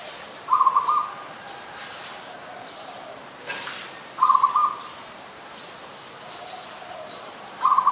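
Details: Adult zebra dove in Ubon Ratchathani, Thailand, on 24 February 2022, giving short staccato, trilled cooing bursts around half a second long, repeated about every three and a half seconds over a quiet background.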